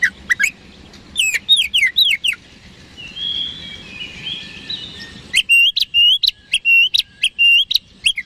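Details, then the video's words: Oriental magpie-robin singing energetically to draw a quick answer from rival birds: a burst of looping whistled slurs, a softer warbled middle passage, then a rapid run of about ten sharp, evenly spaced whistled notes. "PANCINGAN KACER HARIAN 🔥 Super GACOR Ampuh Bikin Lawan Cepat Respon 3"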